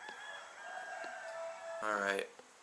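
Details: A distant rooster crows around 3 a.m. in Mexico, one of several: a long, steady, drawn-out note held for nearly two seconds, then cut off by a brief burst of a man's voice.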